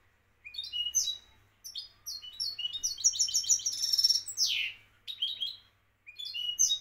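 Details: European goldfinch from Morocco singing a lively, liquid string of chattering notes and quick trills, with a buzzy descending flourish near the end and a steady low hum behind.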